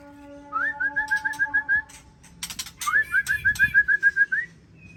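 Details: Two rapid trills of evenly repeated, clear whistled notes from a white-rumped shama, separated by a short burst of scratchy chatter, with a faint steady hum behind.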